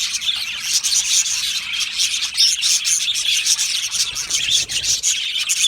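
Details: Budgerigar colony kept in an aviary, singing and chirping together: overlapping bright twittering and scratchy warbles packed tightly, quick chirps popping out above a constant high chatter.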